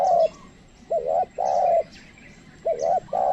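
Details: Spotted dove kept as a trained lure, cooing to draw in wild birds that do not come close. It gives repeated phrases of a quick two-part wobbling note followed by a drawn-out even coo, with a soft steady hum behind.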